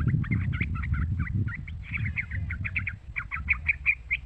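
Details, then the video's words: Yellow-vented bulbul (trucukan), a young bird whose calls serve to rouse trucuk birds into singing; dense, lively chattering of clipped chirps throughout, with steady low rumbling noise underneath. "Suara Panggilan trucukan muda"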